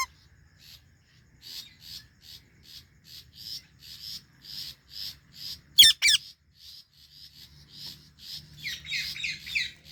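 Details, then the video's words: Indian ringneck parakeet with Alexandrine parrots nearby: soft chirps repeated about four times a second, two loud harsh screeches around six seconds in, then dense overlapping chatter to the end. "Indian Ringneck and Alexandrine Parrot Chirping Sounds"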